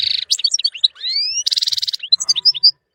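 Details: Energetic European goldfinch song from a tutor recording for songbirds: a buzzy opening note, quick tinkling chirps, a long rising whistled slur, a fast buzzy rattle, then clear piping notes before falling silent.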